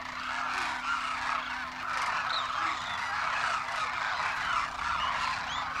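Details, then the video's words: A large wintering flock of demoiselle cranes at Kheechan Village in Rajasthan calls while foraging and drinking by a waterhole, a dense, steady mass of rolling croaking notes from many birds, with a low steady hum underneath. "cranes sound while foraging"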